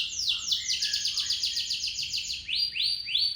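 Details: Local canary with a long roll, sung as a lure: fast repeated downward-sweeping notes running into a bright rolling trill, then slower separate descending whistles at the end.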